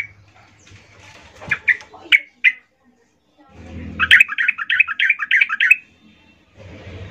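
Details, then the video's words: Female yellow-vented bulbul calling males, used for luring: several separate sharp notes, then a sustained stretch of rapid bubbly chattering lasting nearly two seconds, with rustling noise around it. "Trucuk BETINA Memanggil Jantan RIBUT"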